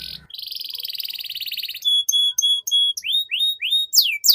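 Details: Canary master song meant to coax young canaries into singing quickly: a dense buzzy trill, then a run of clear steady whistled notes, then rapid rising upslurred notes repeated about three times a second.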